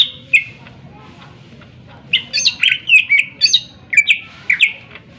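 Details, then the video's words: Provoking song of a Greater green leafbird, meant to make other birds sing and get worked up: a brief whistle, a pause, then a tumbling run of loud chirps and slurred notes. "cucak ijo gacor full suara tajam cocok untuk pancingan agar burung gacor dan emosi"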